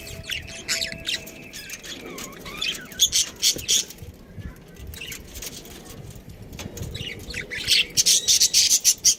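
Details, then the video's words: Chirping from a pet budgerigar, a busy stream of high, rapid clicking chirps and warbles, thinning out midway before a fast, regular run of sharp notes at the end. "cute budgie chirping sounds"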